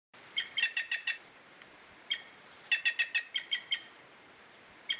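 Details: Curl-crested jay, a Brazilian bird, giving bursts of short harsh repeated notes, three to five in quick succession, with single notes between the bursts.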